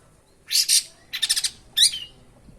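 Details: Long-tailed shrike, a mimic called the bird of a thousand languages, delivers three short bursts: a harsh double note, a quick stuttering rattle of about five pulses, then a rising squeaky call.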